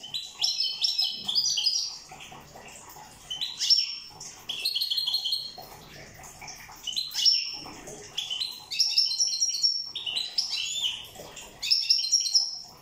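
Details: Corsican European goldfinch song given in a series of bursts, each a tinkling jumble of high chirps, slurred whistles and fast trills, separated by brief pauses of about a second.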